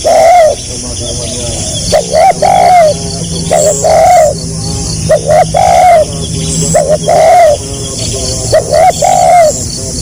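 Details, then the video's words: Spotted dove (tekukur) singing in the stuttering 'gagap rapat selang nguku' style: low hollow coos in quick stammered pairs followed by a longer drawn coo, the phrase repeated about every two seconds over a steady high insect-like hiss. "SUARA BURUNG TEKUKUR GAGAP RAPAT SELANG NGUKU"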